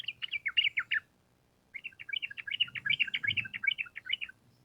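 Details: Sooty-headed bulbul singing the long rapid 'ropel panjang' style as a training recording. A quick chattering phrase breaks off, then resumes as a longer string of crisp, rapid notes, with faint low background rumble.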